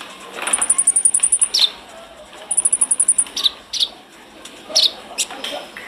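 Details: Konin, or brown-throated sunbird, in energetic chatty song meant to tutor captive birds: two fast, very high rattling trills, each ending in a sharp descending note, followed by scattered chips.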